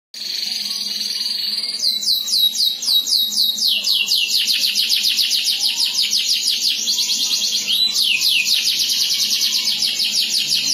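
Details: Domestic canary singing a long continuous song of fast repeated notes: a steady high whistled tone, then rapid trills of quick descending sweeps, changing speed from phrase to phrase, with a faint low hum underneath.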